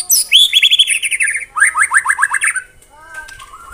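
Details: In 'tembakan rapat' (rapid-fire) style, a white-rumped shama gives stuttering high notes running into a row of six loud falling whistles, then soft low whistled notes trailing off.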